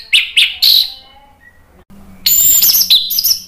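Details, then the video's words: Orange-headed thrush, or anis merah, singing to stir other birds into song: three sharp chirped notes, a brief lull with low hum, then a dense run of very high, squeaky, varied notes. "ANIS MERAH GACOR NGEPLONG memancing EMOSI jadi NYAUT BUNYI"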